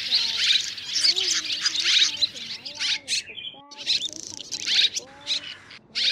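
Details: Three kinds of swiftlet calling the flock to roost, white-bellied, banded and grey-brown, used as a 2024 trapping lure: bright chirp bursts broken by short pauses near the middle, over soft lower whistled tones.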